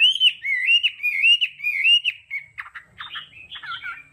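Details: Hwamei song in the 'đảo âm' style, used for voice training: a run of loud, clear whistled notes that rise and fall in a wavy pattern, then shift into shorter, rougher burry phrases toward the end.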